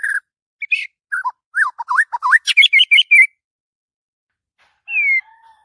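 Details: Morning song of a white-rumped shama, worked up and in full voice: varied whistles, sliding notes and quick chipping phrases for three seconds, a pause, then one long falling whistle.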